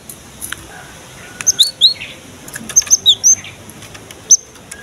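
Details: Gelatik batu, or cinereous tit, singing for luring and stimulating young birds: two clusters of ringing, thin whistles alternating between two pitches, then a single high note, with light clicking in the background.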